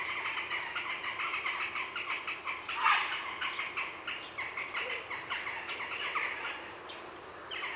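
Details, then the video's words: Close recording of a grey heron colony in the afternoon. A continuous stream of raspy, clattering calls, one louder harsh note near the middle, with thin high whistles of a blue tit and jackdaws in the background. "Grey Heron. Heronry Calls CU In Afternoon"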